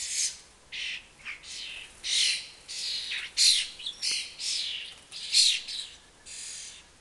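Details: Young common starlings from a family nesting four storeys up beg around a fat ball while flying after their parents, giving harsh, hissing rasps, high and noisy, in short, quick, uneven overlapping bursts.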